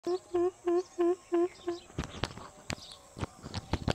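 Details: Greater coucal (mahok) giving a run of six deep, hollow hoots in quick, even succession, followed by sharp clicks, knocks and rustling noise with no further calls.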